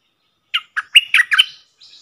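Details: Red-whiskered bulbul, a wild bird responding to a caged decoy, delivers a short string of five or six lively, liquid whistled notes, ending with a faint high trill.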